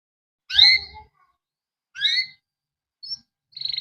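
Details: Captive male canary in the Indonesian cuit cuit ngerol style, used as a master recording to coax young or silent canaries into song. Two bright, harmonic chirps sound, then a short peep and the start of a fast trill.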